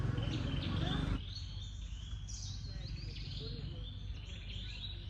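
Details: In Cambodia, a shy Oriental magpie-robin (Copsychus saularis), an Old World flycatcher, sings a run of varied, clear whistled phrases, some rising and some falling, over steady low rumbling background noise with a louder noisy burst at the start.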